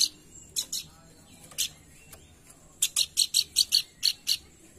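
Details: Babbler known locally as pelanduk bukit, its call used as a lure to stimulate song: a few scattered harsh notes, then a fast rhythmic string of sharp chips.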